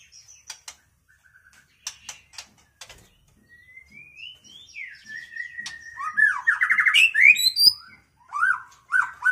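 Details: A white-rumped shama of the Tuban, East Java strain sings, opening with dry clicks and short chips, then a long rising whistle breaking into fast, rich warbled phrases and ringing notes.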